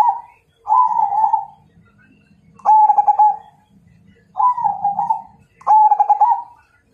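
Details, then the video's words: Majapahit zebra dove challenging a rival with four repeated phrases of bubbling, trilled cooing roughly every one to two seconds. Some phrases open with a sharp stuttered pulse. A soft low hum sounds between them. "Suara Perkutut MAJAPAHIT Ngajak Tarung"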